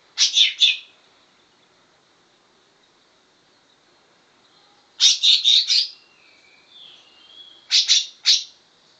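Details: Greater green leafbird singing a learned imitation of cucak jenggot bulbul song: short bursts of three to four bright, rapid chirpy notes, repeated after pauses, with faint softer warbles between bursts.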